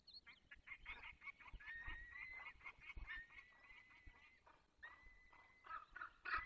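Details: Peregrine falcon in the Barycz Valley on the morning of 24 April 2021 at 8:20, giving long whining wails mixed with rough, chattering notes. Faint low rumble underneath.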